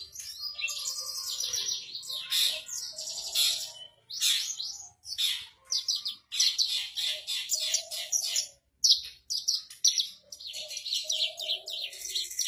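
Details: Javan bush lark singing steadily from a stone, a kept bird: long runs of shrill chirping and buzzy trills, separated by a few brief silences, with a faint low tone between phrases.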